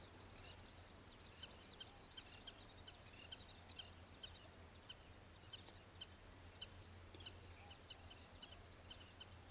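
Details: Common waxbills, an introduced escaped cage bird in Taiwan, foraging at the Old Iron Bridge wetland on 9 June 2023, give thin, high chips and tsips in quick, irregular runs over a steady low hum.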